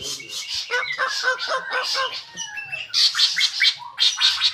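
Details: White-rumped shama song: a rapid, varied run of sharp chirps and whistled notes, some falling and some rising, switching to dense high bursts midway, with no other sounds.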